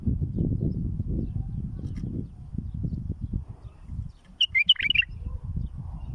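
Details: Tutoring song of a bulbul meant for fledglings: a brief, jumbled cluster of warbling notes near the end, following several seconds of low droning background noise.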